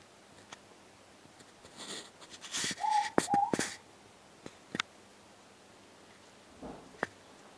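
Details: Ruru, the morepork, heard at night close by outdoors, giving a single soft two-part hoot, 'more-pork', its two short level notes close in pitch, amid rustling and clicking noises.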